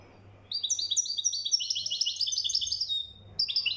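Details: European goldfinch from Morocco, described as mkhantar, gives a continuous liquid twitter of quick high notes mixed with buzzy trills. A short break comes before the next phrase starts, with a faint low hum in the background.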